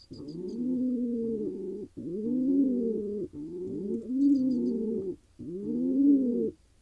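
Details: Throaty, rolling coos from a wild male pigeon in Israel after finding a mate, five swelling phrases separated by short breaks, with faint high ticking sounds in the background.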